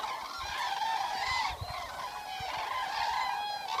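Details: Eurasian cranes, also known as common cranes, calling in the wild overnight; sustained trumpeting honks with clear harmonics, several overlapping voices, and faint low knocks underneath.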